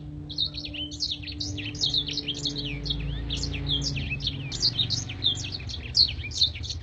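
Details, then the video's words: Long, sharp Blackthroat song for training contest birds: a continuous stream of crisp, high chirps and twisting whistled notes, steady and unbroken, over a faint low hum. "MASTERAN BLACKTHROAT GACOR NEMBAK PANJANG DAN TAJAM VOKAL JERNIH DAN KRISTAL"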